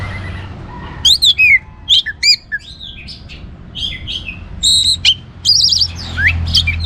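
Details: Energetic orange-headed thrush song, used to stimulate other birds to sing, delivered as a quick string of varied phrases: clear whistles, slurred rising notes and rough chattering bits with brief gaps. A faint low hum sits beneath.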